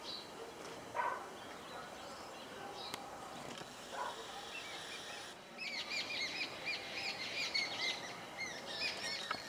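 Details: Blue magpie eating Himalayan wild pear fruit in a garden tree near Solan: after a quiet start, a dense burst of sharp, high chirping notes repeated quickly, with faint outdoor background noise.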